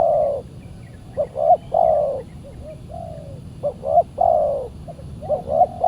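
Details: Saturday decoy trapping of spotted doves, with a fierce wild bird responding to the decoy. Soft throaty coos come in linked phrases, short paired notes and long drawn coos alternating, over a steady low rumble.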